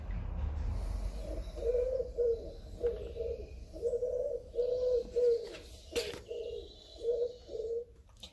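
A pigeon gives soft, low, hollow coos, about nine short hoots at a steady pace of roughly two per second, some paired. A faint rumble sits underneath.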